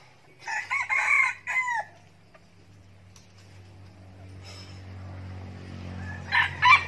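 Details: Escaped decoy red junglefowl from a breeder in Bình Phước, Vietnam, answering the call of love: one loud, harmonic crow of about one and a half seconds in broken phrases, then a fainter distant crow near the end over low background hum.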